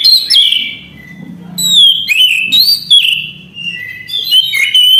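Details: A gacor Orange-headed thrush delivers a loud, clear song of long whistles that slide up and down, interspersed with quick sharp chips and warbles, barely pausing.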